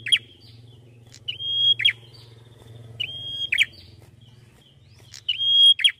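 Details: Red-headed prinia in melodious song. Four phrases, each a steady high whistle snapping into a buzzy downward flourish, come roughly every one and a half seconds over a low droning hum.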